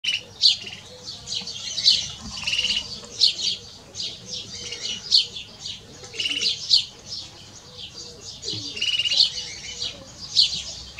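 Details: Canary x goldfinch hybrid (mixto de jilguero) singing: rapid bursts of high, bright chirps and twittering trills in phrases of about a second, with short pauses between, over a faint low background hum.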